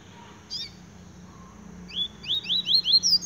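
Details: Double-collared seedeater in song, a short quick series of high, downward-slurred whistled notes building in loudness over the last second and a half, after a brief rough note; low steady hum underneath.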